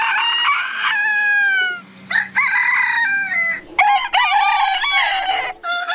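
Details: Heritage-breed roosters crowing in quick succession: loud, harmonic-rich cock-a-doodle-doo calls with falling drawn-out endings, cut abruptly from one crow to the next, with a faint low hum beneath.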